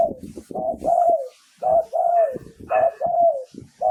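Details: Spotted dove decoy song from Thailand, meant to lure wild doves: steady series of mellow coos, short hoots leading into longer falling notes, with soft rumbling and clicking underneath.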